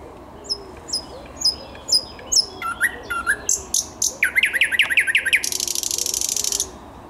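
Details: Song of a thrush nightingale, 10 May 2021: spaced high piping notes that speed up, then a rapid series of falling whistled strokes and a long harsh buzzing rattle to finish.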